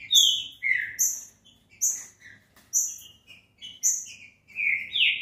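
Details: Green-winged saltator song played to warm up a captive bird and make it sing: loud, clear whistled notes, some sliding downward, in short phrases repeated about once a second, with faint low background hum.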